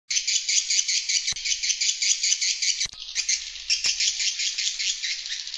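Swiftlets give a dense, high, buzzy chattering of overlapping chirps that pulses about two to three times a second without a break, with brief clicks.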